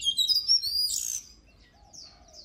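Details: Oriental magpie-robin in song, giving a loud run of high whistles and a harsh buzzy note, followed by softer thin whistled phrases.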